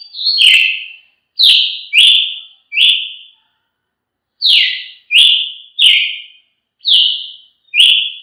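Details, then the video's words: Loud, clear whistles from a Brazilian tanager come in quick groups of two to three falling notes, separated by short pauses. "canto de Tiê sangue"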